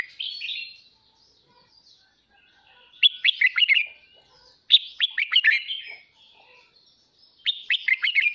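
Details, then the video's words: Red-whiskered bulbul, a pet bird, in morning song meant to spur other bulbuls: clusters of rapid, sharp warbled notes arrive in roughly one-second bursts, separated by pauses of over a second. "Chào mào kích bổi hót sáng /Luyện giọng chào mào"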